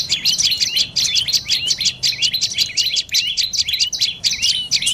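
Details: Rapid high chattering from a dark-necked tailorbird: bright, sharp chip notes repeated many times a second in tight bursts, with steady low background hiss.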